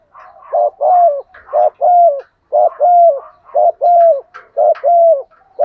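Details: Decoy spotted dove giving its flock-calling coo in the "gọi một hậu" style. A steady run of five low, hollow phrases, each a short note followed by a longer drawn-out coo, evenly spaced about a second apart.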